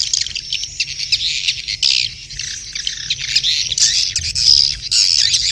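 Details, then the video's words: Mating call of swiftlets: continuous high, scratchy chattering with louder squawky bursts about twice a second, from many birds together. "SUARA WALET BirahiBeranak | the sound of swallow lust"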